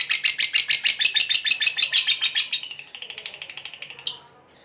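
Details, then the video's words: Ngekek panjang from a fighter lovebird, a long trill meant to rile other lovebirds. Loud, rapid chattering notes pour out, then soften and fade after about three seconds. One sharp closing chirp ends the run before quiet. "SUARA BURUNG LOVEBIRD NGEKEK PANJANG, GACOR FIGHTER PANCING EMOSI"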